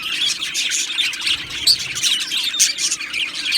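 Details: Aviary colony of Australian budgies sings and chirps in a short burst of crowded, twittering high notes. Several sharper whistled squeaks rise above the steady chatter.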